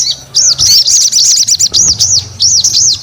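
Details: Sogon singing: a lively run of very high, thin, arched whistled notes, closely spaced, over a low background hum.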